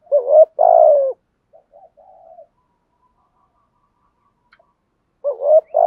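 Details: Spotted dove kept as a lure bird and trained daily repeats its coo: a wavering note and long falling hoot, soft trailing notes, a pause, then the phrase starts again.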